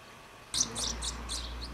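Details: At Přerov-Kozlovice in the Czech Republic, a house martin feeding young bursts into a quick scratchy high twitter of four or five buzzy notes after half a second of quiet.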